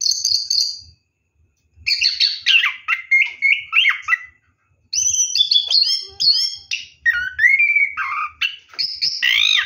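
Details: Orange-headed thrush singing in the rolling ngeroll style while bathing at night: varied clear whistled phrases, some sliding and rising, in bursts separated by short pauses, with faint low thumps beneath.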